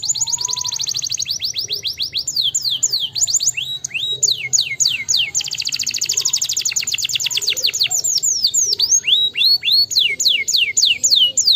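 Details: Long canary song to wake up lazy canaries: alternating fast rolling trills of repeated high notes and slower runs of falling whistled sweeps, sustained and loud throughout.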